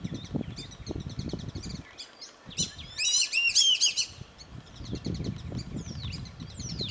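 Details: Black-bellied whistling duck, just landed behind a house at Hamilton Creek with its mate flying back and forth, gives a loud burst of high, squealing whistles lasting about a second among scattered thin chirps, over low rumbling wind or handling noise.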